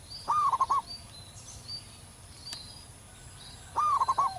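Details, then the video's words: A loud local zebra dove in the wild. Two phrases of fast, stuttering coos, the second ending in a drawn-out lower note, with faint high chirps from other birds in between. "perkutut lokal manggung gacor di alam liar suara besar"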